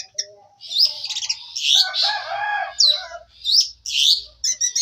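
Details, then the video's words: Canary in full song: rich, rapid, high warbling with rolling trills and sweeping notes, plus a faint low hum in the background. "MATERI BURUNG KENARI"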